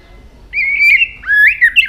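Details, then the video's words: White-rumped shama flicking its tail gives a short sustained whistle followed by a second, rising and wavering whistled phrase. "chòe lửa hót nhiều giọng đảo giọng đập đuôi liên tục"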